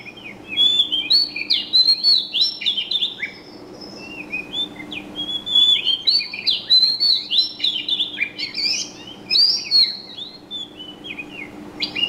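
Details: Lively, continuous bird chirping: rapid high twittering phrases of swooping, slurred notes tumbling over one another for twelve seconds, with brief lulls around four and eight seconds and a soft steady hum in the background.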